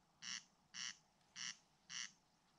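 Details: Corncrake (Crex crex) in Ridala, West Estonia, summer 2019, gives dry, rasping crex notes, four harsh bursts evenly repeated about every half second, over a quiet background.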